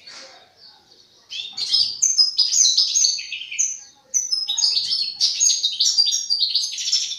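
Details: Juvenile European goldfinch practising song during its learning phase: soft notes at first, then a loud, continuous stream of jangling, fast, high-pitched twittering.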